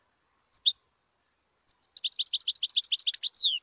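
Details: Wild European goldfinch: two opening chirps, then a fast rolling twitter of rapidly repeated bright notes for almost two seconds, ending in a descending buzzy slur.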